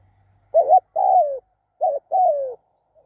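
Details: ['Spotted dove calling two clear phrases. Each begins with a brief wavering note and continues into a longer coo that glides lower, with a soft low hum at the start.']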